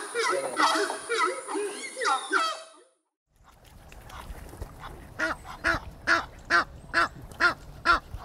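Goose honking: a jumble of nasal, braying calls, a short pause, then a steady series of loud honks about two per second. A thin high whine runs under the first part.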